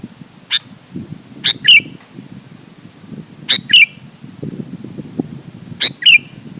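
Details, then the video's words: Sooty-headed bulbul song used to pressure rival bulbuls into singing back: three punchy phrases spaced about two seconds apart, each a sharp note and a ringing whistled note, over steady low rumbling noise. "suara burung KUTILANG GACOR MENEKAN LAWAN"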